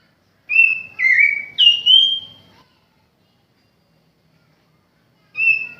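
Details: Oriental magpie-robin (kacer jowo) kept at home: a burst of three loud whistled phrases, level, then dipping, then a high note gliding down. After a pause of nearly three seconds, another steady whistle begins.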